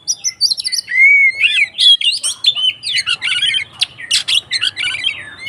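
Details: Oriental magpie-robin in agitated fighting song used to provoke rivals. A long rising whistle opens a fast, dense stream of harsh chattering and sharp varied notes with brief pauses, and the background is quiet.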